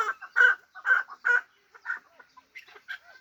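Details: Hybrid partridge kept for fighting, uttering three loud, throaty chuck notes in quick succession, followed by a trailing series of softer, broken clucks that fade away.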